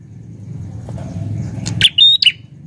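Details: Prinia in a garden gives a quick burst of sharp, high chirps and a thin whistled note after a low background rumble.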